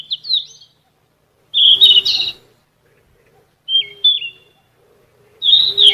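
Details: Sikatan emas flycatcher of genus Ficedula in full gacor song for songbird vocal training: short whistled, warbling phrases with quick pitch turns, given in bursts separated by roughly one to two second pauses.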